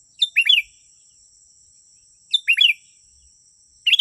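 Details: Sooty-headed bulbul song for luring wild birds: crisp, chirpy three-part phrases of bright slurred notes, repeated about every two seconds, over a continuous thin high tone.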